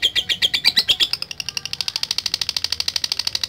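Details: Lovebird kept for song contests, chattering to call out rival birds: buzzy high notes at first, then speeding into a quick, thinner, evenly spaced ticking series.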